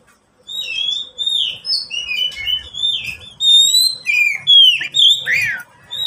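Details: Kept oriental magpie-robin in full song, played to coax silent pet birds into singing: a long varied sequence of clear whistles, rising and falling slurs, thin high squeaks and a few scratchy notes, delivered in short bursts.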